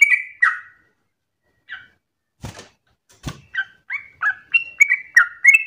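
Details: Yellow-vented bulbul in rapid 'ropel' song meant for young bulbuls to learn: a few scattered bubbly notes and two dull knocks, then a fast resumed run of warbled, slurred phrases.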